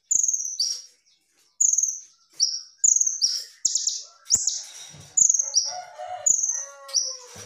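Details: Rapid, high-pitched song of a kolibri ninja (Van Hasselt's sunbird) meant as tutor material: repeated thin whistled notes each followed by a buzzy trill, strung together almost without pause; some lower background tones near the end.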